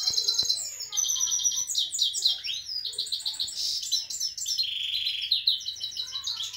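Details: Himalayan goldfinch sings alongside a canary: dense, high twittering with buzzy trills and quick slurred notes running continuously, with faint clicks at the start.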